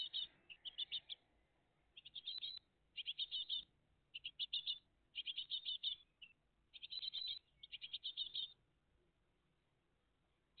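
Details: Great tit family at the nest, live on 20 June 2023 from 06:02 to 08:01 in the morning: high twittering chirps in rapid runs of four to eight notes, repeated about every second, with brief quiet gaps between bursts.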